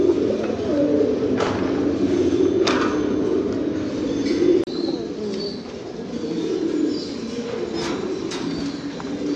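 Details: Several fancy pigeons coo together in a steady low, throaty chorus of overlapping burbling coos; a brief break midway, then the murmuring resumes with faint higher chirps.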